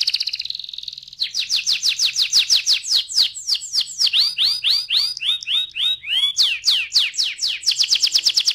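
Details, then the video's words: Canary in full rolling song, a continuous run of rapid high downward-sweeping notes, changing phrase every second or so, with loud bright trills throughout. "KENARI GACOR NGEROLL"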